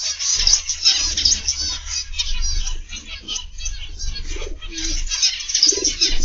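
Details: Zebra finches in an indoor aviary in the morning give a steady, busy chorus of thin, high, nasal beeps and chirps. Faint low cooing and a soft rumble sit underneath.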